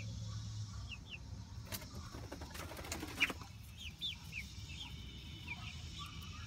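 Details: Roughly month-old Light Brahma chicks outdoors, being introduced to and enjoying their coop run: scattered high, thin peeps that slide downward, with a burst of wing flapping in the middle and a low steady rumble beneath.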